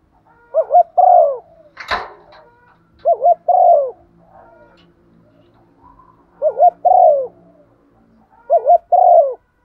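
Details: Four mellow coo phrases from a female spotted dove in 'gáy gọi' lure style, each a quick wavering note pair and a held descending coo. A sharp knock breaks in early, with faint soft coos between phrases.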